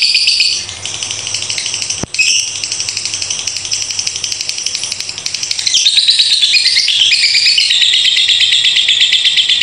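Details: Long 'ngekek' chattering from a lovebird, a performance said to run beyond two minutes. Unbroken high, metallic, rattling trills with a sharp click early on, briefly quieter, then swelling louder with shifting pitch.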